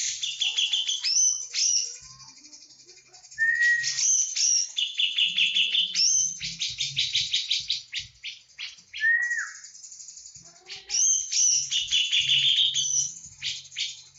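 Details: Long stretch of full 'tembakan' song from a Javan cucak jenggot, with repeated bursts of rapid scratchy chatter, several rising whistles and two clear downward-slurred whistles between phrases.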